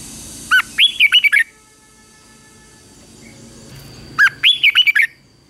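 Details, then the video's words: Morning fighting song of a red-whiskered bulbul being trained: a sharp rising note opening each of two warbling phrases of four or five clear, looping whistles, separated by a pause of nearly three seconds with low hum. "Luyện chào mào hót sáng | chào mào hót đấu"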